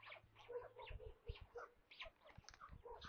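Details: Young white storks at their nest near Kaluga, Russia, at feeding time on 27 May, shortly before 14:00; quiet, dense chatter of short squeaky and mewing notes from several chicks at once, with low background hum.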